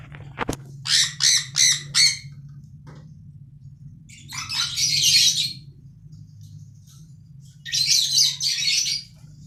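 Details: Budgerigars in an aviary, playing, singing and eating: a quick run of four sharp chirps, then two longer bouts of buzzy, scratchy warbling over a faint low hum.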